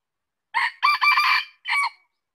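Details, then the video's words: Single crow of a red junglefowl. A rough first syllable runs into a drawn-out raspy middle section, then ends with a short cut-off note. No other sounds are heard. "Suara ayam hutan | Chicken fowl sound"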